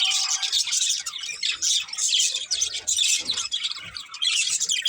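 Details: Budgerigars from a breeding pair chatter in a dense stream of high, scratchy chirps and warbles. Steady bursts with short gaps, and a faint low tone in the first second.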